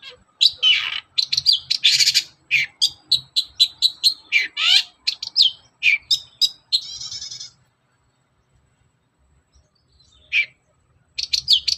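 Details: Long-tailed shrike song in the morning, used as a lure to make other shrikes sing: a rapid, varied string of sharp chirps, whistled slurs and buzzy notes for about seven seconds, a pause with one faint note, then the chirping resumes.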